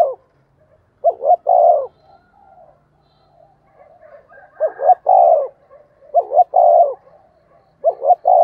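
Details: Spotted dove kept as a decoy, singing a lure call: repeated three-part coos, two short clipped notes then a long, slightly falling coo, about four phrases with soft low murmurs in the gaps.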